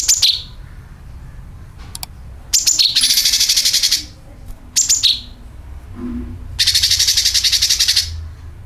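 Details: Sooty-headed bulbul call plus dragging rasp, played as a bird lure: high chirps dropping in pitch, each followed by a long harsh buzzy rattle. The pattern repeats twice, with a faint low hum beneath.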